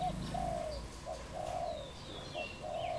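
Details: Wild dove in Cambodia, recorded 22 April 2020, giving a run of soft, low hollow coos, each note a short rounded hoot repeated in quick succession, with faint higher bird chirps in the background.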